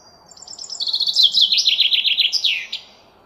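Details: A single common chaffinch strophe: a soft, high lead-in speeding into a loud, rattling cascade of descending notes, closing with a sharp terminal flourish, about two seconds long.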